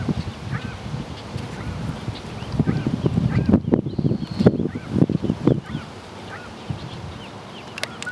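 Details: Mallard ducklings at the meadow spring pond, Mt Shasta, California, on Friday, June 15, 2012: many soft, short arched peeps repeated irregularly over loud low rustling and thumping, with a faint bright chirp near the end.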